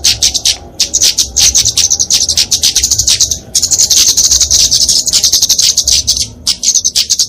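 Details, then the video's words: Kemade flowerpecker, genus Dicaeum, in fighting song used to train and lure birds: long runs of sharp, very high chirps merging into buzzy trills, with a brief pause midway. "Kicauan Kemade Tarung Untuk Masteran&Pikatan Burung Kecil"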